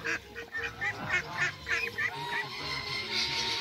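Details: A pair of Mallards meeting, giving a quick run of short, nasal quacks, about three a second, which then gives way to a steady rushing hiss.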